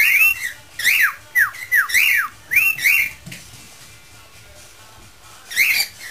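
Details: Pet parrot in a singing mood, improvising while attempting the tune 'Spanish Flea': clear whistled notes, many sliding sharply downward, in quick phrases over the first three seconds, a pause, then one more whistled burst near the end.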